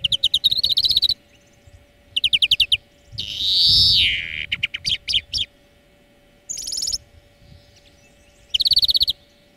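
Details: Greenfinch song lesson for training birds, mixing fast rattling trills with one long, nasal, buzzy wheeze that slides downward in the middle, then sharp twittered notes and more trills, with a low steady hum underneath.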